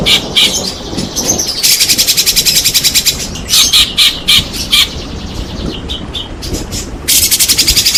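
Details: White-rumped shama (murai batu) song played to provoke reluctant shamas into singing: short high whistles and squawky notes broken by loud, fast rattling trills that repeat in several bursts, with a faint low background hum.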